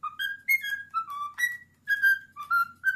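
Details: Ten-year-old male pet cockatiel singing the Addams Family theme indoors, a bird known to sing when a towel is around; clear whistled notes slide up and down in quick succession, with a faint low hum behind.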